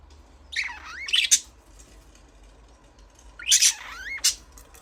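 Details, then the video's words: Budgerigars chirping in two bursts about three seconds apart, each a cluster of bright warbled, rising and falling notes ending in sharp clicks. "Budgies parrot chirping sound"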